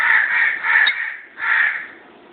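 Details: Pet lovebirds, two of them, giving three loud scratchy squawks in quick succession, the last one separated by a brief dip.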